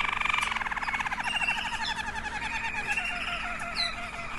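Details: Waterslager canary, one of several birds with differing water tours and klok, singing a rolling, bubbling trill that pulses rapidly at first, then smooths into a flowing warble.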